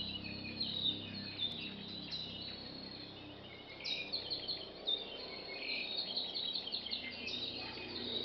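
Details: Wild birds in rain forest on the trail to the Thurston Lava Tube, Hawaii Volcanoes National Park, heard but rarely seen; high thin chirps and short whistled phrases scattered over steady forest hiss.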